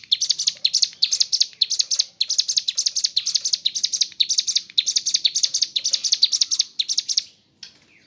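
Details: Mountain leaf warbler in full rapid 'ngebren' burst singing with filler phrases: dense, high, bright twittering bursts repeated almost without pause for about seven seconds before stopping abruptly.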